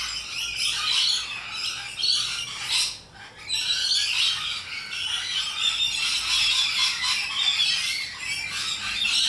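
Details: Rainbow lorikeets, loud parrots, fill the air with dense overlapping harsh screeches and shrill chatter, high-pitched and continuous, with a brief lull near three seconds before the noisy chorus resumes.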